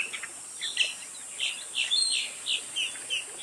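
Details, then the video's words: Spot-breasted Oriole (Icterus pectoralis) giving a string of short, bright whistled notes, about two or three a second, over a steady high insect hiss. "Canto Oriole de Peito Manchado, Sons do Oriole"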